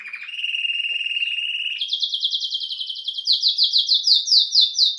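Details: ['Domestic canary, canário-belga, singing a smooth low whistled trill that breaks into a fast rattling roll of repeated high notes, growing louder and more spaced.']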